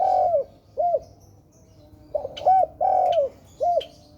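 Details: Spotted dove giving gentle, hollow coos, alternating long and short notes in a loose rhythm, over a faint low background hum with a few light clicks.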